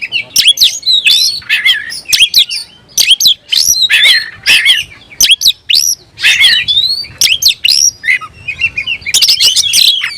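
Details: Caged oriental magpie-robin in full aggressive song, seeking an opponent: a rapid unbroken stream of piercing whistles, swooping slurs and scratchy squeaks, varied phrases tumbling one after another for about ten seconds.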